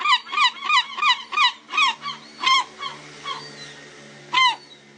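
Herring gull giving a quick run of loud, nasal, yelping calls that slow and fade, then one final strong yelp, over a faint low hum.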